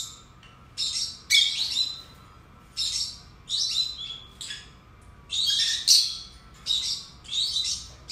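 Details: Pair of caged lovebirds calling: loud, harsh, high-pitched screechy bursts roughly every half second to second, rasping and noisy in tone, over a low constant background hum.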